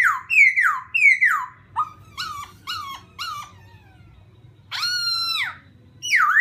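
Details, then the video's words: Laughingthrush song for provoking another bird: loud falling whistles, a string of short rising chips, then a long level note sliding down, ending with another strong downslur; low background hum. "khướu kích bổi"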